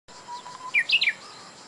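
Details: Japanese bush warbler song recorded on 22 July 2017: a brief burst of bright, high whistled notes sliding down and up, over a steady hiss and a faint low tone.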